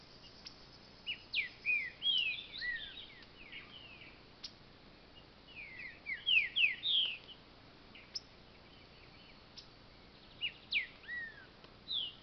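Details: Green-winged saltator from a breeding aviary singing loud, clear whistled phrases of rising and falling slurred notes, delivered in bursts of two to four notes with short pauses between, over a faint steady background hiss.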